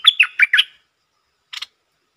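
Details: Red-whiskered bulbul delivering a short song: one brisk phrase of four rich, slurred whistled notes, then a brief double chirp after a pause.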